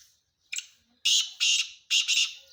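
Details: A calling male black francolin gives a loud scratchy phrase: one short sharp note, a pause, two drawn-out rasps, and a split two-part rasp at the end, over near silence.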